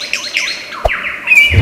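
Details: Lyrebird from an Australian forest, a famously imitative bird: looping, bouncing whistled notes that dip and rise, followed by a sharp click and a steady high whistle.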